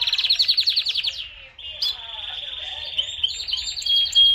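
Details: Powerful canary song: a rapid, pulsed trill slows into a sustained, buzzy roll, then clear, high whistled notes over a renewed trill.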